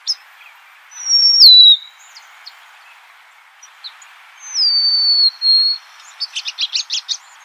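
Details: Two clear, drawn-out descending whistles from a golden-crowned sparrow, a few seconds apart, followed by a quick burst of short buzzy notes.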